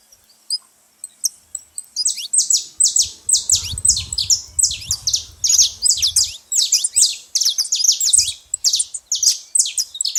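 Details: A few thin high notes open, then noisy saffron finches at a feeder break into a dense run of rapid, high, overlapping chirps. A low rumble underlies the middle section.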